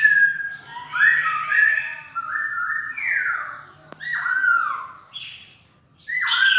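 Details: Silver-eared laughingthrush song recorded indoors: a run of clear whistled notes, some sliding downward, in several phrases with brief gaps, a single sharp click midway and a low background hum.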